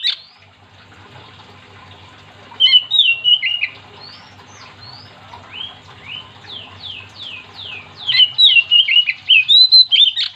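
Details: Oriental magpie-robin singing to prompt other magpie-robins to join in, opening with a brief note, then a run of rapid falling high whistles and a closing stretch of loud, varied whistled phrases.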